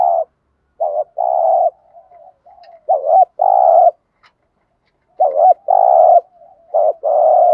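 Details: Spotted dove 'gù thúc' lure call for training decoy birds, from male and female doves: repeated phrases of hooked notes and long buzzy coos, roughly three phrases in under eight seconds.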